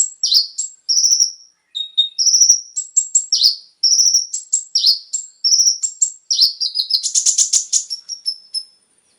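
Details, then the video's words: Konin singing a varied lure song to make captive birds sing: quick clusters of high whistles and downslurs, one lower double note, then a buzzy rattling trill near the end. "PANCINGAN suara burung KONIN agar langsung GACOR dan ikut NEMBAK FULL ISIAN"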